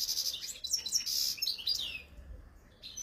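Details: European goldfinch, wild-type khalwi, 2022: rapid chattering twitters and slurred whistles for about two seconds, then quiet with a faint final note.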